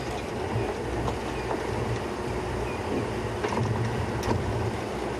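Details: Dense, even rushing noise from a moving vehicle on a sunrise safari drive, a continuous mechanical roar with faint knocks and no animal calls.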